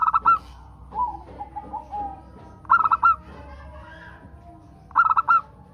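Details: Local zebra dove song meant to stimulate other doves: three phrases of four or five quick, hollow coo notes, roughly two and a half seconds apart, with faint, jumbled background calls between them.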